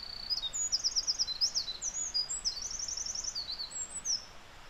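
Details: In early May in Japan, a Eurasian wren that climbed onto a nearby branch briefly pours out a loud, very high, rapid song of fast trills and sharp notes, barely pausing, over a soft background hiss, then leaves.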